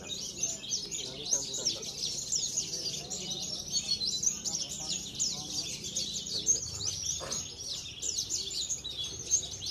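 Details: Contest Javan bush lark from Cilacap pours out a busy, unbroken high-pitched warble of quick scratchy chirps and trills, with muffled talking and crowd noise in the background.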